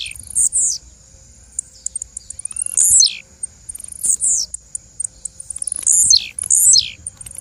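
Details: Blue-black grassquit female giving high, thin calls: scattered sharp ticks and five loud slurred notes falling steeply in pitch, spaced roughly one to one and a half seconds apart, with a constant faint whine behind.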